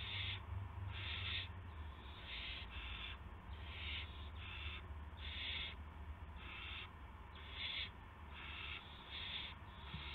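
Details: Owl during a gopher delivery, 8 PM on 18 March 2016: many short breathy screech-hisses, often in pairs, repeated through the clip above a faint low hum.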